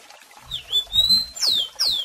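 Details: Rusty-collared seedeater (Sporophila collaris), tutor song: song played for young birds to learn.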